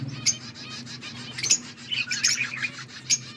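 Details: Budgerigars giving sparse high chirps and a brief warbled twitter, a few sharp clicks between, over a steady low hum.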